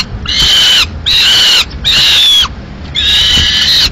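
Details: Male peregrine falcon bringing a live swift to the nest in Madrid, May 2016, the female killing it; four long, harsh drawn-out cries separated by short silences.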